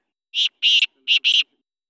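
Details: Loud, close black francolin moving about freely, uttering four harsh, scratchy notes in two pairs, the second note of each pair longer and more grating, with a faint low voice underneath.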